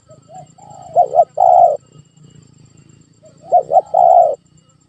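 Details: Spotted dove lure call from Indonesia, meant to prompt a reluctant pet dove to call: a soft short note, two quick coos and one long rolling coo, the phrase repeated after about two seconds.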